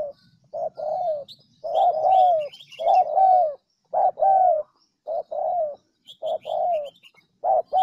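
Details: Decoy call of a spotted dove, used to excite wild doves into cooing: a steady run of paired soft coos, each short note followed by a longer falling one, repeated about every second, with faint high chirps of other birds.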